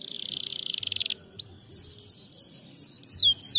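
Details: Canary singing: a fast, buzzy trill for about a second, then a series of clear, high whistled notes, each sliding downward and repeated about every half second.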